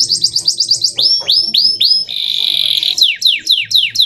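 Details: Male canary singing a clear tutor song used to train young canaries: rapid high descending sweeps, then slower looping whistles, a steady buzzy rattle held nearly a second, and more falling sweeps.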